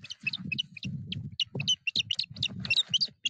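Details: Osprey in the Napiwodzko-Ramucka Forest on 14 April 2023, calling at its nest during an attack by an intruding foreign osprey. A rapid, excited run of high, piercing whistled chirps plays over low thumping and rustling from the nest.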